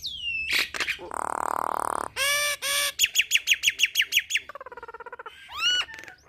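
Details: Nias hill myna singing a rich, varied sequence: a falling whistle, a dense buzzy squawk, clipped harmonic notes, then a fast run of about ten sharp rising chips and a wavering whistle, each phrase abrupt and loud.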